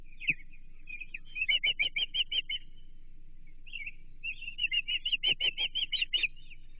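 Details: Osprey calling at a Chesapeake Bay nest on 28 June 2023 while an American shad is delivered for feeding; two bursts of fast, evenly repeated sharp whistled chips, each run of about seven notes, with quieter slurred whistles between.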